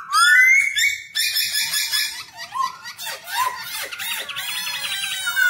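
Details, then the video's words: Black-throated laughingthrush singing while dancing, used to train young birds: a rising whistle, then harsh raspy notes and fluid warbling phrases with dipping slurs, ending in a strained buzzy passage. "KHƯỚU BẠC MÁ VỪA HÓT VỪA MÚA 30 PHÚT LIÊN TỤC CỰC CHẤT, CỰC PHÊ, LUYỆN CHO KHƯỚU BỔI MAU HÓT."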